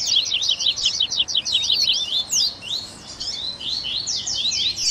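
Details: Double-collared seedeater song used as a warm-up recording to get captive birds singing: a fast, lively run of high, sharp chirps and buzzy twittered notes, tumbling quickly with brief pauses.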